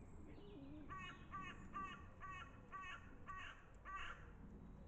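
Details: Crow giving a series of seven harsh, nasal caws spaced about half a second apart, each short and evenly repeated, over a steady low rumble of background noise.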